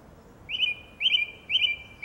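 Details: A lone song thrush sings in a garden in April 2021, repeating one bright whistled phrase three times at half-second intervals, each starting with a quick flourish and trailing off level.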